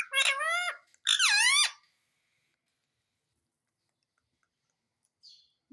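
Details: Talking Indian ringneck parakeet says "mummy" as two clear, voice-like syllables, the second dipping in pitch, followed by several seconds of near silence and a faint squeak.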